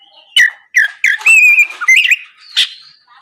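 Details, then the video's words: Oriental magpie-robin morning song used as a lure for rival birds: harsh chips, then a sustained whistled note and a brief rasping burst. "PANCINGAN SUARA BURUNG KACER GACOR NGEPLONG PAGI DIJAMIN BIKIN LAWAN LANGSUNG IKUT NYAUT BUNYI GACOR"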